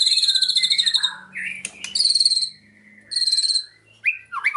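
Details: White-rumped shama singing a song loaded with cililin imitation: rapid high buzzy trills in bursts, then slurred whistled notes rising and falling between phrases, with a faint steady low hum beneath.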